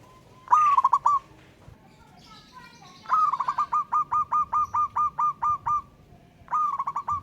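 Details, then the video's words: Zebra dove of a local wild strain calling out a rival: a short stuttered coo, a brief faint chatter, then a long run of about ten evenly spaced bubbling coo notes, and one more stuttered phrase at the end. "Burung Perkutut LOKAL Alam Ngayer Memanggil Lawan Ikutan Manggung Gacor."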